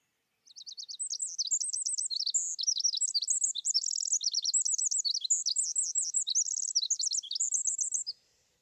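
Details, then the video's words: Pacific wren song from a sound archive recording: a long, rapid, tumbling run of high tinkling trills, buzzy rattles and sharp whistled notes, changing phrase every fraction of a second without pause for about seven and a half seconds, clean background. "Pacific Wren"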